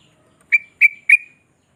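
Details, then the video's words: Sooty-headed bulbul calling to spur other bulbuls to sing: three crisp, evenly spaced whistled chirps, each a sharp attack with a short trailing tail, against silence. "Suara Trucuk Ini Mampu Naikan Birahi Burung Bahan dan Macet Bunyi"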